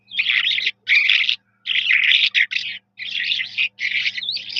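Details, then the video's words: Eurasian skylark, called Jal Mashadi locally, singing in dense, buzzy, high warbled bursts of about half a second to a second, separated by short pauses, over a faint low electrical hum. "جل مشھدی کی پیاری آواز ۔ Sky Lark bird beautiful Voice. Jal Mashadi."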